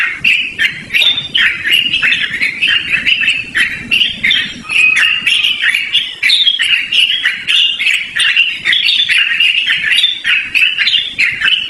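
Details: Yellow-vented bulbul in long, unbroken song, intended for luring or training other birds: rapid chattering and warbling notes flowing on for over ten seconds, with brief whistled tones threaded through.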